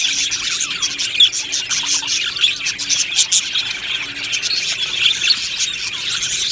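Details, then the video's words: Colony of contented budgies in an aviary, producing nonstop overlapping chirps, tweets and short rasping notes, some louder calls standing out every second or so, over a soft continuous hum. "Budgie Sounds for lonely Budgies | Happy Budgies Birds Sounds | birds Chirping Sounds"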